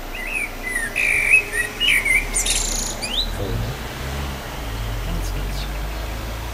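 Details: A singing common blackbird gives rich, fluty whistled phrases that rise and fall, ending in a scratchy high twitter after about three seconds, followed by a low rumble of background noise.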